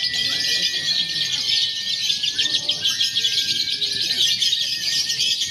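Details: Contest-training lovebirds in konslet, fighter and paud styles together; relentless high-pitched buzzy chattering over a held whistle, with brief swooping notes.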